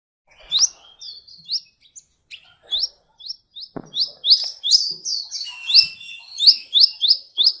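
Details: Sunbird singing on a cage-bird training recording: isolated high upswept notes that gradually quicken into a lively sequence of sharp, rising whistles and buzzy chirps.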